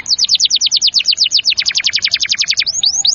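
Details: Tutor song of a canary for young and hesitant singers: a steady, rapid string of falling chirps, roughly nine a second, closing with two arched whistled notes.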